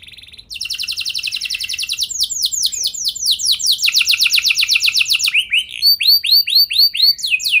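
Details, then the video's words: Canary song used as a lure to prompt other canaries to sing long rolling trills. After a brief soft start comes a long, rapid, even trill of downslurred notes. It shifts into slower swooping notes and ends in high, clipped phrases. "Pancingan Burung Kenari Biar Ikut Gacor Ngeroll Panjang!"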